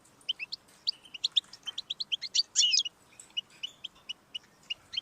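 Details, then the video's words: Goldfinch song for encouraging a pet goldfinch to sing, a lively stream of high twittering notes building to a harsh buzzy burst, then sparser tinkling chips. "Audiorecordings of the goldfinch to stimulate birdsongs"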